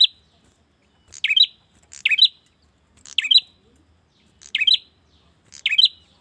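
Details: Male bar-winged prinia calls to a female, giving sharp buzzy chirps in pairs of notes, spaced about a second apart with a pause near the start.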